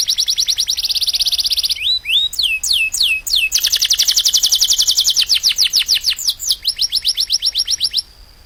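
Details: Canary song used to train caged birds, with fast high rolled trills, a few slurred swooping whistles, then long fast repeated buzzy notes before stopping abruptly.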